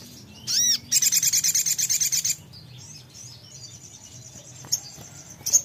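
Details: A sogon songbird answering at once to briefly played audio: a high, thin note, then a fast, buzzy trill of about twelve notes a second for over a second, followed by fainter high chips.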